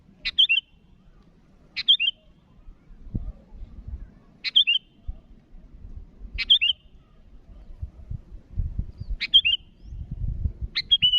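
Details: Sooty-headed bulbul calling to rivals with six short, clipped, bubbly phrases at uneven gaps over eleven seconds, while low thumps and rumbling noise rise in the background.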